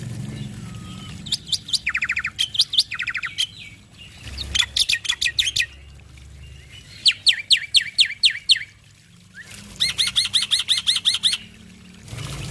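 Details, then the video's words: Black-winged starling male in continuous song packed with varied phrases, meant to set other starlings singing: bursts of fast chattering trills and sharp repeated notes separated by short pauses, with some low rumble at the start. "Masteran Jalak Putih Gacor Full Isian Bikin Burung Jalak Lain Langsung Bunyi"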